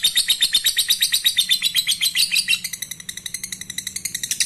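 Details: Lovebird singing to prompt breeding condition in other lovebirds, a dense run of shrill, scratchy chirps at roughly four per second, growing slightly softer and quicker in the second half.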